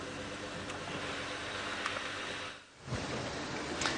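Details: A safari vehicle's low engine hum and soft rustling are heard at sunrise, with a brief quiet dip midway and no animal calls.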